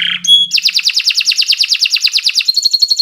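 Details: Canary song opening with a short low buzzy note and a thin whistle, then a quick, even rolling trill of high bright notes, ending on a sustained rapid tremolo.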